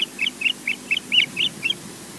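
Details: Incubating Osprey at a Loch Garten nest in Scotland, calling after intrusions at the nest in the afternoon, on a nest camera: seven clipped, high whistled chirps in an uneven series, some doubled, with a faint low rumble behind.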